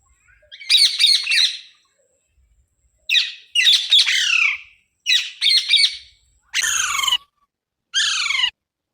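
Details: Parrot squawking in five harsh, raspy bursts, each about a second long, separated by short pauses, with the last two a little cleaner and sliding downward.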